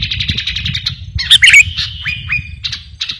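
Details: Sooty-headed bulbul of the 'garuda' type in energetic song used to train or lure birds: a rapid run of chirps, a loud harsh burst, then short downslurred whistles, over steady low background hum.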